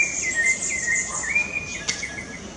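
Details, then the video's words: Rufous-bellied thrush singing in Parque da Chacrinha, Rio de Janeiro, in October 2019: a run of short warbled, slightly wavering whistled phrases, with a steady high insect buzz underneath. "sabiá laranjeira cantando"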